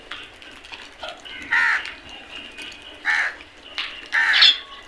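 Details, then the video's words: A flock of crows calling while eating: three loud, harsh, broad caws about a second and a half apart, with softer scattered calls between them. "Flock of crows beautiful sound effect"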